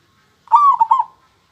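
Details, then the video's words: A local zebra dove utters one clear cooing phrase: a smooth sustained note that dips, followed by two or three rapid rolling notes. "suara perkutut lokal super kristal"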